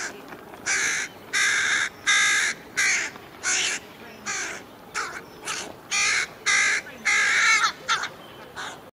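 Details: Two young carrion crows on Buck Hill give harsh, nasal caws in an irregular stream of about a dozen calls, some drawn out, some short, relentlessly chasing their parents and begging for food.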